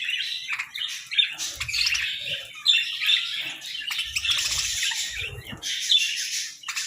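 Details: Several sunbathing budgerigars keep up lively, scratchy warbling chatter broken by sharp tweets, with occasional soft low bumps in the background.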